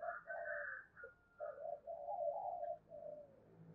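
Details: Spotted dove cooing in challenge and calling: low, hollow, slightly rough coos in a drawn-out phrase with a brief gap, over steady low background noise.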